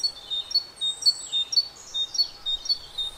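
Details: Parus major, the Great Tit, giving its short two-syllable song, alternating a high and a slightly lower whistled note in a steady rhythm, while another bird adds thin sweeping high calls partway through.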